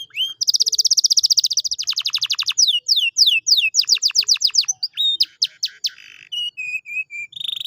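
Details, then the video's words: Canary song played to encourage a quiet canary to sing: a long fast buzzy trill, then runs of sharp falling whistles, rapid clicking notes and short slurred phrases, lively and continuous. "pancingan kenari malas bunyi/agar gacor lagi"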